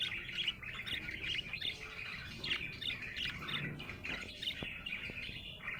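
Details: Happy budgie giving a steady stream of buzzy, scratchy warbles and chirps with a few sharp clicks, against low background noise.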